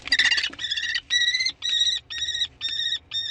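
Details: Common kestrel on 15 May in spring, giving a rapid series of harsh, ringing, nasal notes, each short burst repeated about twice a second, the first note louder and rougher, with faint low background rumble.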